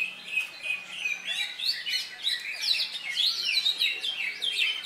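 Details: Greater green leafbird, freshly through its moult, singing at a Latpres Utama Delta Kencana Indonesia songbird contest on Saturday 3 September; fast, varied whistled and chattering phrases sliding up and down, overlapping other contest birds.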